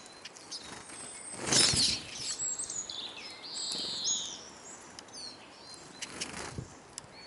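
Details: Hungry Eurasian siskins at a bird feeder in Kolmården, Sweden, recorded from the ground beneath it: thin, high twittering calls and chirps scattered throughout, with bursts of wingbeats and soft background noise.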